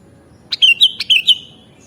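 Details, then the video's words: A single song phrase from a sooty-headed bulbul, recorded for mastering: six rapid, fluty whistled notes with slight downward slurs, cheerful and bubbling, then quiet. "Mastering Burung Kutilang Original Bikin Burungmu Bisa Langsung Nyaut dan Gacor"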